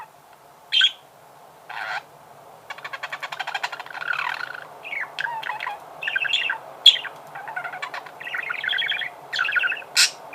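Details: Budgerigar singing: a busy, chattering warble of short harsh notes, rapid ticking trills and squeaky chirps, with brief pauses between bursts and sharp high squeaks scattered through; faint low hum underneath.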